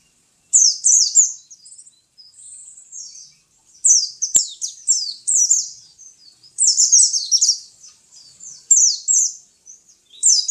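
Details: Sustained high twittering from a pet white-eye (pleci): long strings of rapid, slurred, down-sweeping chirps with brief gaps and a single sharp click near the middle.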